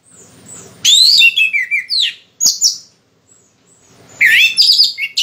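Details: Orange-headed thrush still in moult yet singing freely: bursts of bright, sweet whistled phrases sliding up and down, with a short pause between the two loud bursts and faint low background hum.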